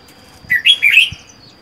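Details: Red-whiskered bulbul kept alone in a cage, wild-caught four months earlier; one short, loud, warbling phrase of three linked notes, rising then dipping and rising again, lasting under a second.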